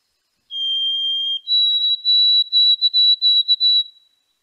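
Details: White-throated sparrow (Zonotrichia albicollis) song, recorded in Quebec in May 2018, a classic boreal forest song: a long, pure whistled note, then a slightly higher whistle broken into quick stuttering repeats, clear and piercing.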